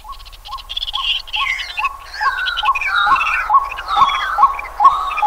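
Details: White-breasted waterhen (Amaurornis phoenicurus) in Pingtung County, Taiwan, on 23 May 2020, giving a steady run of short, mid-pitched notes, more than two each second; other birds sing higher and busier over it.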